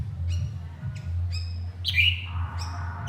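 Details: White-rumped shama calling its partner: a few short sharp high clicks, then a loud rising whistle and a lower drawn-out tone, over a strong low droning hum.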